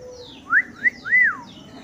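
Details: Mellow whistling from a black-naped oriole of Sumbawa: two short arched notes followed by a longer rising-and-falling fluty whistle, clear over a quiet background.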